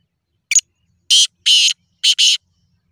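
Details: Black francolin (kala tetar) call meant to prompt silent birds to call: a brief doubled opening note followed by four loud, rasping, buzzy notes delivered in a quick phrase, otherwise quiet.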